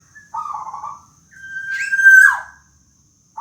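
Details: Local black-naped oriole giving its 'rintihan' (moaning) call. A buzzy nasal note is followed by a long level whistle that breaks into a harsh downward rasp, with a brief start of another note at the end.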